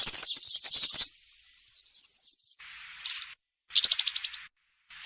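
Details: European serin song in the country style, played to train young serins: a rapid high jingle, then quieter notes and two short buzzy trills, with a faint hiss behind.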